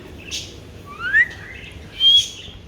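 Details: Alexandrine parakeet giving a rising slurred chirp followed by a brief, high, level whistle, over a faint background hum.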